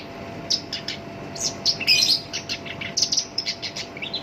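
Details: Black-browed reed warbler kept by a bird hobbyist sings its coarse lure song: scattered high ticks rise into a loud scratchy burst, then quicker sharp notes follow and taper off.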